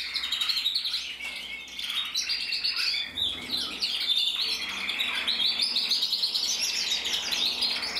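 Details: Male canary, red-black intensive, bred 2024 and split in mosaic, delivering a lively run of rapid trilled phrases and sharp tweets, flowing on without pause.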